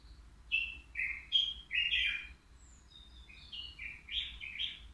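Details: European goldfinch, three years old, kept caged and shown at the Al-Qurai'a bird market as a flawless singer; fast liquid twitters and buzzy trills run in two bursts, separated by a short soft pause.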